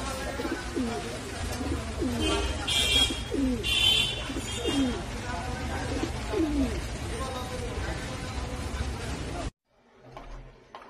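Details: Fantail pigeon cooing in steady, low, looping phrases, roughly two per second, each a throaty rising-then-falling coo, with people talking and clattering noises behind, then a sudden cut to quieter sound.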